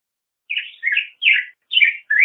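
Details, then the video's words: Short burst of black-headed grosbeak song, five mellow, slightly husky whistled notes with small pauses between them, no other sounds audible. "Black-headed Grosbeak Song! Call! Singing! - Picogrueso Pechicafé Canto"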